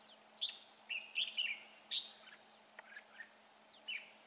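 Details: Red-whiskered bulbul, a father bird carrying food for its chicks, singing in the bell-voice style: short bright whistled phrases, some rising and some falling, scattered across four seconds over a steady high insect drone.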